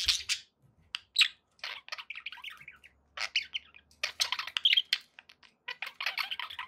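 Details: Domestic budgies giving a lively mixed chatter of clicks, ticks, short whistles and rasping notes, delivered in uneven bursts with brief gaps, plus a faint low hum in the background.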